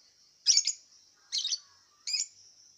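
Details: Lovebird in an online singing contest, Singkawang, West Kalimantan, caged; three loud, harsh, high chirp bursts about 0.7 seconds apart over a steady high hiss.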